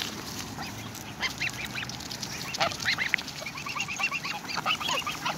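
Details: Four greylag goslings, grown much in a week, greedy and demanding food near their parents while being hand-fed. Quick runs of short, high, thin peeps repeat over one another through the second half, over a steady outdoor hiss.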